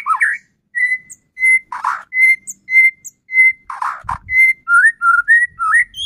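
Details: White-rumped shama song used as a lure to make another shama sing: clear, level whistles repeated roughly every half second, broken by two rough buzzy bursts, ending in wavering, rising whistled notes.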